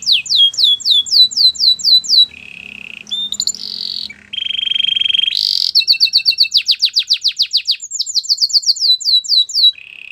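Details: Canary song full of changes: fast falling whistled notes, a low steady trill, a high ringing rattle, then rolling repeated syllables and another buzzy trill.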